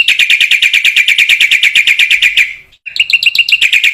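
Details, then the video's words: ['Black-winged myna chattering song for training other mynas: a long steady run of quick ringing notes, roughly six per second, a short pause, then a renewed faster bubbly series.'] "MASTERAN BURUNG JALAK PUTIH GACOR"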